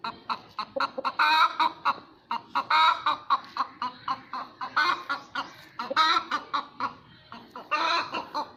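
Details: Hen cackling after laying an egg: loud repeated clucks in bursts, some drawn out into harsh rising squawks, with brief pauses between runs.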